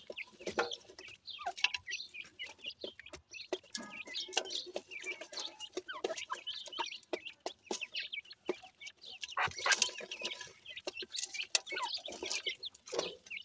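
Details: Baby pheasants happily eating new food; a dense stream of short high cheeps and chirps overlaps soft clucking notes, with sharp pecking clicks scattered throughout.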